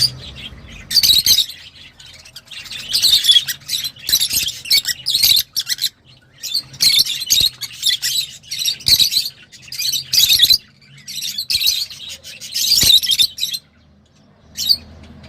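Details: Lovebirds in a home setting chattering loudly in long shrill, grating bursts broken by short pauses, the harsh high twitter filling most of the recording.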